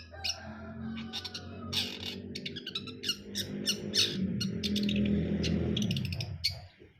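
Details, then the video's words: Long-tailed shrike, called brundol, delivering a rapid string of scratchy chips and chatter with a few thin whistles over a loud low rumbling background. "KICAUAN CENDET BRUNDOL"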